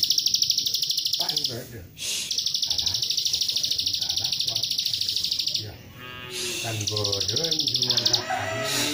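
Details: Rapid-fire plain prinia song, 'nembak rapet' style, played as a lure to provoke other prinias: a long run of evenly pulsed, buzzy high notes, a brief break, then another run, over murmured human speech.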